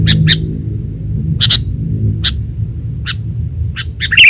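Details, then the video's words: Sooty-headed bulbul lure sound: short, sharp chirpy notes at irregular half-second intervals, over a steady high whine, a low rumbling hum and background music. "SUARA PIKAT KUTILANG"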